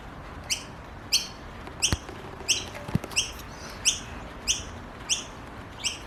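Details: Young Noisy Miners in an Australian garden calling for food: high, clipped chirps repeated at uneven intervals, with a couple of sharp clicks or knocks partway through and soft background hum.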